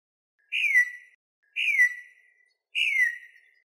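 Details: Venezuelan troupial, recording meant for teaching birds and luring others: three clean, falling whistled notes, evenly spaced about a second apart, with silence between.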